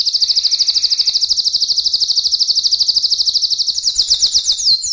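A canary sings a long, rapid trill of high buzzy notes, around 20 per second, ending in faster sweeping phrases; faint background hum.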